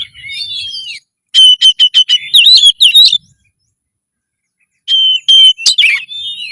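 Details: Oriental magpie-robin (kacer) in loud song meant to boost breeding drive and fight mode; fast staccato whistled notes repeated in a run, then winding phrases, a long silence, and another burst of piping notes.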